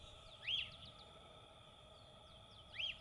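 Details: A free-living Lesser elaenia (Elaenia chiriquensis) sings in Brazil, giving two short, burry, arched notes about two seconds apart over a steady high insect drone and faint chips from other birds.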